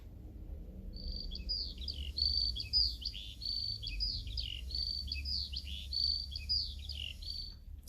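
A lark pours out a fast, continuous, high warble of twittering and trilled phrases for about seven seconds, over a low steady hum.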